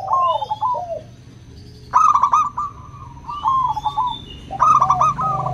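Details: Local 'crystal'-voiced zebra doves cooing to prompt quiet doves to sing: soft falling coos, then loud trilled phrases about every one and a half seconds, with a faint high whistle tone and low hum.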